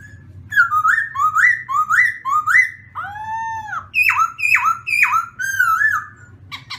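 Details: Morning voice-training song of a black-throated laughingthrush: a steady run of rising whistled notes, then a lower arched whistle and bright falling phrases, delivered continuously and clearly.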